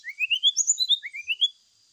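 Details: Brown-chested jungle flycatcher lure song, used to get the bird singing while set out in the morning dew. Two sets of sweet whistled notes each climb step by step, about a dozen notes in 1.5 seconds.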